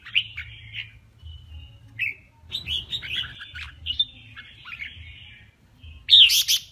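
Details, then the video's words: Singing in a contest, a male red-whiskered bulbul delivers scattered whistled and warbled phrases with gaps between, a brief noisy patch midway, and a loud bright burst at the end. "Tiếng kè Kích chào mào Trống Hót đấu"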